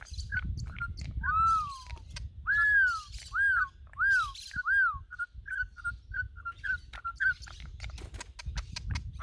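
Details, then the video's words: Campo troupial from Brazil, praised as one of the country's best singers: long clear whistles slurring down, a series of arched fluted notes, then a quick run of short repeated whistles, over a low background rumble. "CORRUPIÃO MÁQUINA ESSE A PEGADA É SEGURA"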